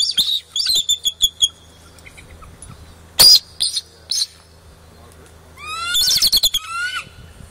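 Bald eagle giving a high, thin run of quick piping chirps, then a sharp burst and a later string of squeaky, slurred chips.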